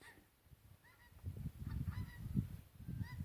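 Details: Wild geese on the Solway near Glencaple, Scotland, one of them noisy and squeaky, give four or five short, squeaky, nasal honks about a second apart, over a heavy low rumble of wind.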